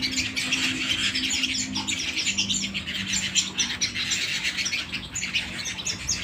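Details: Home canary song, steady and loud: rapid overlapping high chirps and trills with no pauses, over a faint low droning hum.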